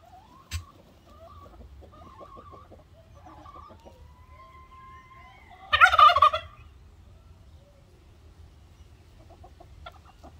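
A turkey gives one loud, rapid, rattling gobble lasting under a second. Faint high peeps and chirps from other birds come before and after it.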